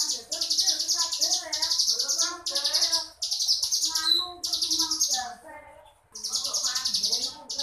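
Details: Crescent-chested warbler singing in the ngebrem style: dense, buzzy, high rasping bursts about half a second long, repeated with short pauses, over faint lower twittering notes.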